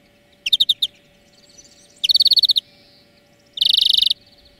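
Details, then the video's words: European greenfinch song from a long lesson track for training birds: three separate bursts of rapid, ringing trilled notes, each about half a second long, with a faint steady hum underneath. "Florya Ötüm Dersi"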